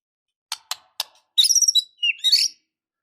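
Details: Short burst of white-rumped shama song full of filler phrases, played to stir a listless bird into fighting: three sharp clicks, then high warbled chirps and a falling whistled slur.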